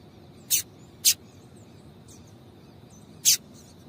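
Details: Female double-collared seedeater giving calls intended to get the male singing; three short, piercing high chips, two close together and one after a two-second pause, with soft background hiss.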